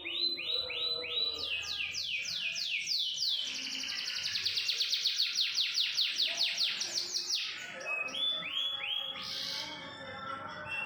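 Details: Singing canary opening with separate sweeping notes, then building into a fast rolling trill for several seconds before breaking into rising whistles and a short buzzy burst near the end.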